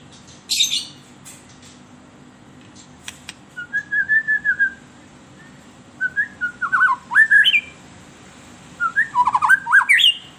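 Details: White-rumped shama singing as a lure for captive birds: a harsh opening burst, then three phrases of rapid fluty whistles, each climbing to a high upward flourish, with short pauses between phrases.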